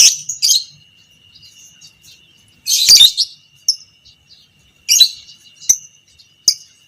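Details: Lovebird fighter, biola pb creamino variety, used as a training master for other lovebirds: short harsh bursts of shrill chatter and sharp squeaks separated by pauses of one to two seconds.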